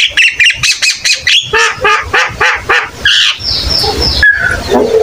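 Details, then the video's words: Javan myna in full song, a tutor recording meant to prompt young mynas to join in: quick run of rasping squawks, then a sustained high whistle, broken briefly, followed by a lower short whistle. "Burung Jalak Kebo gacor cocok buat masteran"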